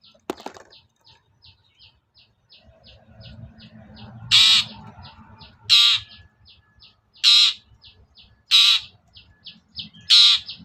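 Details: Long-tailed shrike lure call meant to provoke a reluctant bird into singing: a sharp click at the start, then loud rasping notes roughly every 1.4 seconds over a steady series of faint high ticks, with low rumbling in the background.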